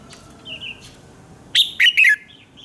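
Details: Morning song of a red-whiskered bulbul, a fast 'fiery' style recording used as a lure to train other bulbuls: faint soft whistles, then a bright, loud three-note phrase with bending notes, followed by a quiet trailing whistle.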